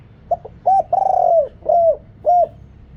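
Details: Big-voiced spotted dove decoy calling wild doves, noise removed: a quick double note, a short coo, a long vibrating rolled coo, then two mellow arched coos.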